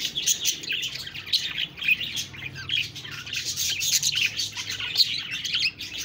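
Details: Budgerigar chatter: quick high chirps, squeaky whistles and scratchy warbles run on without a break, rising and falling in loudness.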